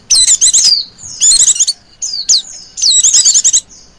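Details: Female Oriental white-eye giving a continuous ngecir call, used as a lure for other white-eyes; four bursts of rapid, high, thin chirps with sliding whistled notes, separated by brief pauses, on a quiet background.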